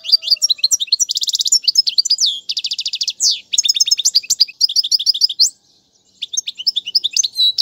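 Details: European goldfinch song for teaching young birds, featuring named styles such as tiwawati and mandolin: dense high twittering phrases, rapid buzzy trill bursts and sweeping chirps, with brief pauses between sequences.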